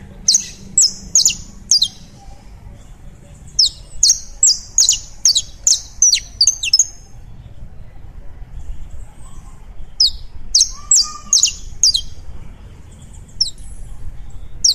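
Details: Colombian saffron finch singing: two bursts of sharp, very high chipping notes strung in quick series, each burst lasting about three seconds and separated by a pause, with a few scattered notes afterward.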